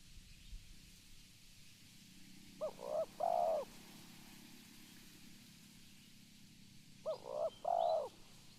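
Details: Calling spotted dove giving two cooing phrases some four seconds apart, each with short soft coos leading into a longer rolling coo, against a quiet steady background hum.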